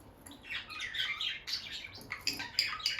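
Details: A bonded pair of peach-faced lovebirds near their nest box, the female often going in and out, makes loud bright chattering chirps, quick harsh notes tumbling together in short bursts, with little else besides faint room hum.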